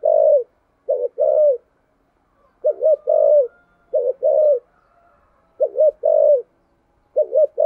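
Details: Spotted dove with a deep 'thunder voice', cooing insistently: low, mellow phrases of a short stuttered double note followed by a drawn-out falling coo, repeated about every one and a half seconds.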